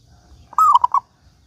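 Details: One clear phrase from a local zebra dove singing as a lure for other doves: a gliding lead note running into three short, rounded coos, otherwise quiet.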